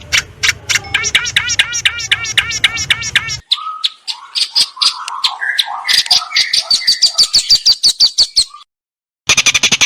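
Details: Long-tailed shrike, a tutor recording packed with borrowed phrases, made 16 May 2022 in a house yard and rice fields on a Samsung M30 phone. A fast run of repeated chevron notes, then chattering, warbled and buzzy high whistled phrases, cut by a brief silence.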